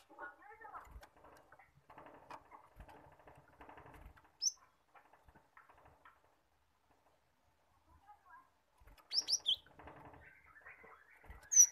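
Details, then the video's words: Cinereous tit song used as a lure to get young caged birds singing: a few brief high whistled notes early on, then a quick cluster of sharp descending whistles near the end, over faint twittering and scratchy background chatter. "pancingan gelatik batu agar gelatik bahan cepat gacor dan ngerol"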